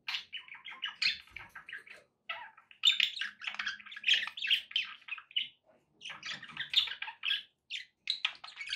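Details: Several pet budgerigars chirping and warbling: dense runs of short, scratchy, buzzy chirps and squeaky notes, coming in bursts of one to two seconds with brief pauses, mostly high-pitched and overlapping.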